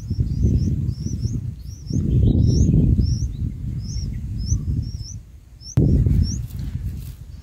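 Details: Bulbul chicks in a nest being fed a large insect: thin, high upslurred chirps repeated roughly every half second, over heavy low rumbling noise with a loud knock near the end.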